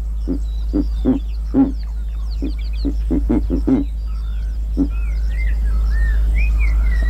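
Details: Verreaux's (giant) eagle-owl in Kruger National Park giving an uneven run of deep, grunting hoots, about two a second, while small birds chirp and whistle high above over a steady low rumble.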